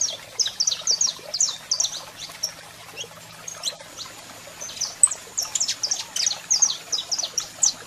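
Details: Male saffron finch singing with a female calling, kept as a cage bird: rapid high chirped phrases in bursts, a pause, then dense rising and falling trilled notes, faint hum in the background.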